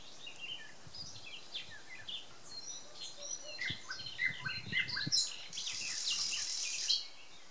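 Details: Several songbirds singing on a May morning in 2020 in Samara Oblast, Russia: scattered high chirps, short whistled notes and trills overlapping, with light low rumble beneath.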